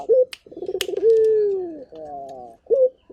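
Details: Local turtle dove: a brief rising note, a stuttering roll, then a sustained low coo gliding downward, followed by a short flat note and another rising call.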